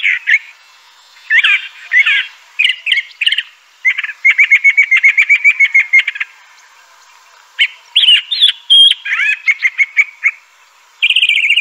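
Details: A crissal thrasher sings a long, varied sequence: slurred whistled phrases, a rapid even trill of repeated notes, high thin notes, then further warbled phrases, with short pauses between bursts.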